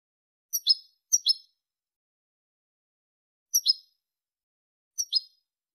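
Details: European goldfinch singing in the Malaga style, recorded for tutoring chicks and hybrids; two pairs of short bright twittering double notes, each pair about half a second apart, with long silent gaps between.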